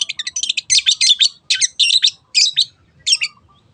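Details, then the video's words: Lure song of a long-tailed shrike, 'teot teot' style, meant to set other birds singing: dense, scratchy high chatter at first, then short harsh bursts spaced about half a second apart, trailing off. "SUARA BURUNG CENDET TEOT TEOT pancingan AGAR BURUNG MANAPUN IKUT GACOR"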